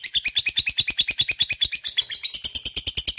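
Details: Lovebird giving long ngekek chatter, used to provoke other lovebirds to sing: an unbroken run of rapid, evenly pulsed, harsh high notes, roughly six per second, shifting slightly higher toward the end.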